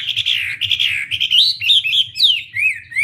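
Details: Wambi in full, lively song, delivering a continuous high warbling phrase of slurred whistles that wander up and down, with a steady low hum underneath.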